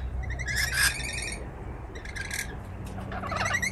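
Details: Wild rainbow lorikeets visiting a balcony in Melbourne, Australia, give harsh, buzzy calls with rasping overtones in short bursts, then a scattered chatter at the end, over a steady low hum.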